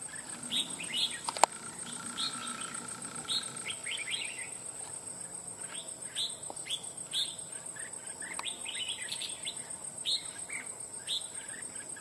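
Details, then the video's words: Wild-caught red-whiskered bulbul, trapped after nearly two months, shown with crest raised and fanning out, with a loud, ringing voice: short bright warbled phrases repeat every second or so over a steady high insect whine. "Bổi Cực Lì Sau Gần 2 Tháng 2 Ae Thay Nhau Bẫy.Đã Về Đội/Ché Đè/Bung Xoè/Cực Mau Mỏ Giọng To Chuông"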